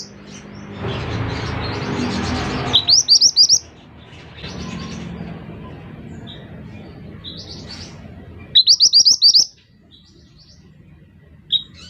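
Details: Scarlet minivet (mantenan) song: short bursts of three to five quick upslurred whistles repeated across the recording, alternating with stretches of broadband rustling noise and single soft high notes.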